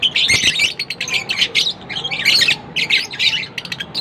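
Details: Lovebird chirping and squawking, harsh shrill bursts of chatter repeated in quick succession, with short gaps between noisy, scratchy phrases.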